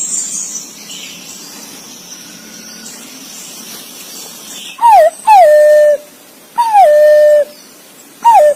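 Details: Green pigeon calling its mate: after nearly five seconds of faint background hiss, four loud whistles, each sliding down and then holding a steady, plaintive tone.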